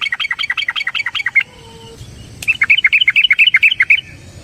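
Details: Trucukan, the yellow-vented bulbul, giving a fast 'ropel panjang' run meant to lure other bulbuls into song: two quick strings of bright, bouncing chirps about two per second, split by a brief quiet gap with a faint low tone.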